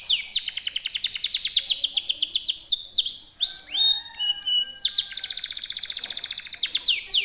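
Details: Kenari canary kept as a singing master bird, with a long unbroken roll: a rapid high trill runs for seconds, breaks into looping swoops and sharp metallic notes, then resumes the fast even rolling trill.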